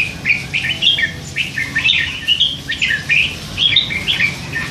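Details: Hand-fed three-month-old red-whiskered bulbul chattering from its cage, a quick series of clear, bright whistled and chirped notes, each short and mostly level, delivered several per second in a lively babble.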